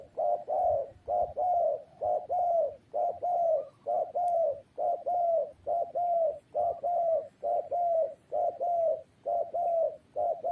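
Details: Rapid, steady series of spotted dove coos, about a dozen rounded two-part notes in quick succession, each dipping in pitch, over a low background hum.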